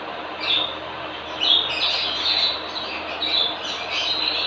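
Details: Captive breeding pair of parrots, male and female, including albino cockatiels: repeated high, scratchy squawking calls about once per second over a constant background hum.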